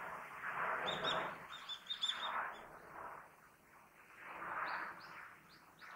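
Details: Daurian redstart in a park in winter giving thin, high call notes: a quick cluster followed by a few spaced, faint upslurred whistles, over steady low background noise.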